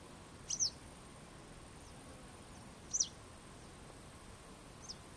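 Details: Two clear, high, quickly falling squeaky calls of a Western yellow wagtail about two and a half seconds apart, then a faint third note, with steady background hiss.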